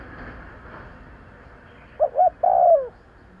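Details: Spotted dove call used to lure birds: two short low coos in quick succession, then a longer, louder coo that slides downward at its end, over faint steady background hiss.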